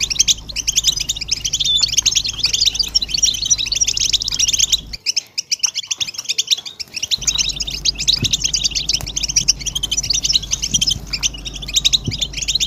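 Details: European goldfinches twittering in a group, presented as motivation calls for males. Dense high chirping for about five seconds, a near-silent gap of two seconds, then the busy twittering resumes with faint clicks.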